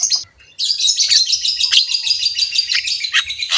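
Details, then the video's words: Javan myna, known locally as jalak kebo, in rich full song: after a brief opening note comes a dense, continuous chattering warble of high scratchy notes lasting about three seconds. "BURUNG JALAK KEBO GACOR SUARA KASAR, MANGGUT-MANGGUT FULL ISIAN MEWAH"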